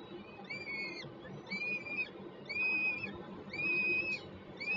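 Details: Nest webcam at Warszawa Żerań, Poland, 28 June 2022: peregrine falcons, one guarding, one bringing food. Clear whistled wailing notes, each arched and about half a second long, repeated roughly once a second over a low hum.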